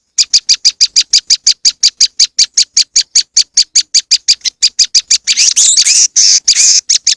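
A moss wren gives a fast, even series of high, sharp chips, about four a second, ending in a louder burst of buzzy, continuous notes.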